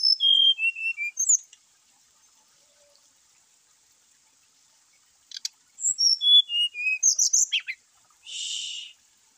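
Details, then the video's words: Two phrases of brown-chested jungle flycatcher song, used to trigger singing in lazy caged birds. Each phrase has crisp whistled notes descending in pitch. The second phrase ends in a jumbled twitter and a buzzy rasp. "PANCING ATAU PERANGSANG EMOSI SRDC MALAS BUNYI,SIKATAN RIMBA DADA COMLAT GACOR"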